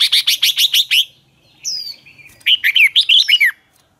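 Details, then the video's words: Caged red-whiskered bulbul used as a dueling lure bird sings a fast run of six bright warbled notes, then a brief high whistle and a second burst of rippling, descending phrases. "chào mào hót đấu"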